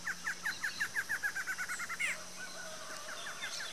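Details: Barred antshrike pair from Brazil singing a duet together: a fast accelerating series of short downslurred notes, quickening into a rapid roll and ending in a sharp rising note, followed by softer scattered notes; steady background hum.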